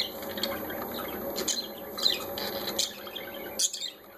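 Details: A group of parakeets chatter busily in short, sharp chirps and squeaks. The calls cluster into quick bursts, then stop abruptly near the end, leaving a steady background hiss.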